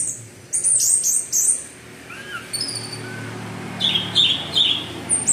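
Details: Orange-headed thrush (anis merah) singing in the energetic 'teler' style, used as a lure to set other thrushes singing: quick high chirps and twittering bursts, soft lower slurred whistles in the middle, then more sharp high notes.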